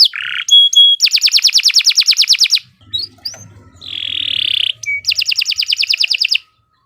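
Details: Canary in loud, shrill training song for other birds: a buzzy note, a flat whistle, then a brisk rattling trill, a short pause, another drawn-out buzz and a second quick trill.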